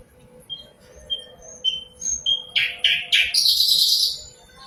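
A common nightingale sings pure, drawn-out whistles that build into loud, rich, rapid bursts and a fast high trill; a faint steady hum underneath.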